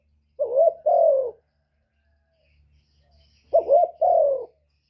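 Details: Two double coos from a spotted dove used as a lure for wild doves, each a rising burry note then a longer falling coo, separated by a quiet gap of about two seconds with a faint low hum.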